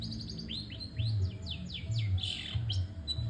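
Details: Long-tailed shrike singing without pause: a series of sharp, down-slurred whistled notes repeated in quick succession, over a steady low hum.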